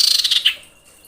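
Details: Female common iora in breeding condition calling to the male: a quick run of rapid, pulsed high chirps lasting about half a second, ending in one stronger note, then fading to quiet.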